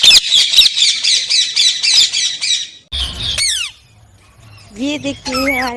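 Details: Pet Indian ringneck parrots, just woken early in the morning, give a rapid run of harsh, buzzy squawks repeated about four times a second, then a few downslurred shrieks, followed by a woman's voice talking.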